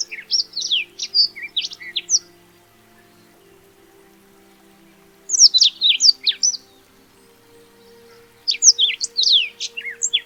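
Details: A Black-throated Canary, small African songbird, delivers three bursts of fast, high, tumbling warbled notes, each about two seconds long, separated by quiet pauses; a faint low hum underneath.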